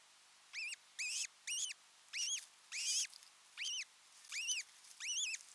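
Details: A pair of ospreys at nest number 5 in Satakunta, Finland, sharing the nest alone for a moment on 6 June 2023: clear, arched, whistled calls that rise and then fall. About eight calls, spaced roughly every half to one second.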